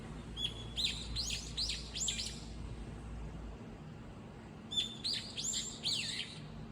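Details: A single bird calling wildly on its own, flitting back and forth among four or five nearby spots. Two bursts of bright, sharp chirps, each opening with a thin steady whistle and followed by quick downslurred notes, over a low background hum.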